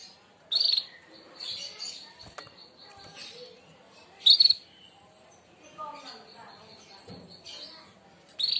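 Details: Canary of the merlok (walnut) type giving 'tembakan tajam', sharp shot bursts used for mastering other birds: three brief, intense buzzy trills high in pitch, roughly four seconds apart, with faint chirps and quiet background between them.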